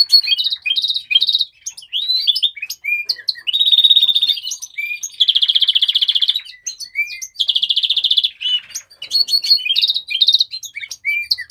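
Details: House finch (Mexican rosefinch) singing an original song: a long, rapid, varied warble of sweet chirps and slurred notes, broken by three harsh buzzy trills of about a second each, continuing almost without pause throughout.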